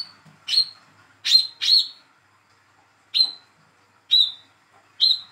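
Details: Olive-backed sunbird, a young speckled hand-raised bird, calling to make a silent sunbird sing: high chirps ending in a short level whistle, some in quick pairs, others a second apart.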